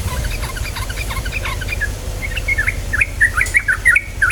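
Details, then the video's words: Yellow-vented bulbul song used as a lure to get other birds singing: bubbly, liquid notes around mid pitch, quicker and louder in the second half, over a low background rumble. "PANCINGAN TRUCUKAN BAHAN agar cepat bunyi"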